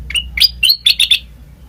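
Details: Sooty-headed bulbul lure recording meant to draw a response from other birds: a short burst of about five sharp chirped notes at mid-high pitch, the first few slurred and the last three clipped and quickly repeated.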